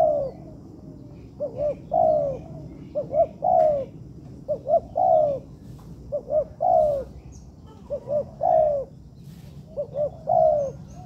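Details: Spotted dove training recording from a man-made yard: a steady sequence of about eight phrases, each two or three quick hoots running into a longer mellow coo, repeated every second or so, with light rustling in the background.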